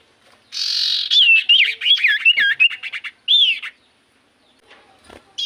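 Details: Common iora song used as a lure for reply singing: a buzzy opening note followed by a fast run of looping up-and-down whistles, then a separate arching whistle and silence.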